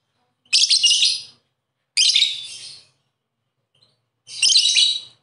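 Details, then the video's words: Lovebird, a colourful hooked-bill parrot, giving three harsh, buzzy chattering bursts, each under a second long, separated by short silences. "Suara Burung Lovebird"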